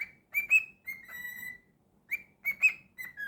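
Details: Pet cockatiel whistling two matching phrases of clear, harmonic-rich notes: a quick rising chirp, a bright peak, then a held, slightly falling tone, with a short pause between phrases in a quiet room.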